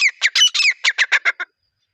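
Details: Partridge (teetar) call used for attracting partridges when hunting: a rapid burst of about nine harsh, squawking notes packed into under a second and a half, each note grating and bright, then silence.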